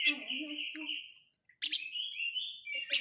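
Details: Kacer (Oriental magpie-robin) crecetan lure for provoking silent birds: a sustained whistled trill, a brief silence, then a loud buzzy burst followed by a flowing high whistle.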